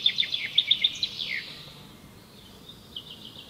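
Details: Asian green bee-eaters calling: a short burst of bright, rapid chirps that slur downward, then fainter trilled notes from another bird against steady low background noise.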